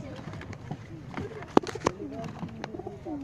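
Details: A visiting pigeon brought to a loft to find a mate, sex unknown (cock or hen), gives low, soft wavering coos, broken by two sharp knocks and faint voices in the background.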